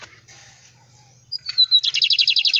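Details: Bigodinho (Lined Seedeater) singing while perched on a hand: after a second of faint background hiss, a few sliding high whistles lead into a fast, buzzy trill of about a dozen evenly repeated notes.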